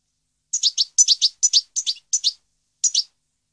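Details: European goldfinch song recorded in 2015: clean, very high twittering, paired chirp notes repeated in quick bursts, then a short pause before a final pair, against silence.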